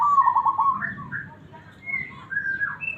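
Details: Local zebra dove described as having a big, round, mellow voice: one low rolling trilled coo opens, followed by scattered higher whistles and chirps from other birds.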